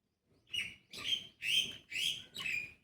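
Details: Common Myna parents, both screaming while their rescued shivering chick sits in a cloth-lined basket in the sun after falling from the nest: five harsh, grating screeches, each about half a second apart, loud and rasping with a ringing top.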